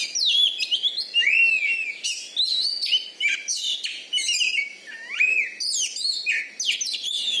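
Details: Oriental magpie-robin (kacer), a contest champion in Bengkulu, Indonesia, prized for volume and membalon fighting style, pours out a dense, nonstop stream of rich whistles, swooping slurs and harsh chatter.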